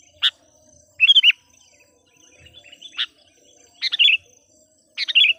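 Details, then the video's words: Sooty-headed bulbul decoy bird singing to lure wild bulbuls: single sharp chirps alternating with quick bubbly phrases of three or four rising and falling whistles, spaced about a second apart, faint high hum behind. "suara burung KUTILANG PIKAT gacor/suara PIKAT KUTILANG gacor memanggil kutilang liar"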